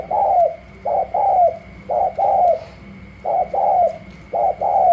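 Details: Newly arrived wild spotted dove from Cà Mau tested against another dove, giving gù la cooing: clear two-syllable phrases, a clipped coo then a longer sliding-down coo, repeated about once a second, with a faint constant high hum.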